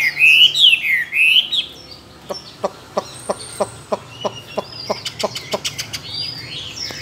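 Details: Caged, tame Chinese hwamei, two years in a cage, kept for singing competitions and said to sing many wild voices. Loud whistled phrases sweep up and down, followed by a long series of sharp, evenly repeated clicks.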